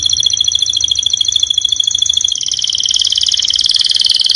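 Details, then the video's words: Canary masteran song used to train birds that have gone quiet: one unbroken, very rapid high trill, a steady rolling chatter of tiny repeated notes that drops slightly in pitch midway and grows denser. "MASTERAN KENARI 002 Cocok untung burung macet BUNYI"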